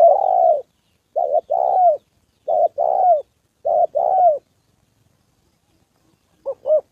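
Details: Spotted dove, a decoy bird used in trapping, meeting a wild fighting male and a female: low, hoarse cooing phrases of two to three notes, repeated about every second and a half, then a short quiet pause.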